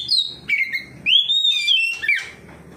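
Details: Oriental magpie-robin singing in full voice in reply to another magpie-robin: clear whistled phrases sliding down then rising into a long sustained high whistle, with rough burry notes between.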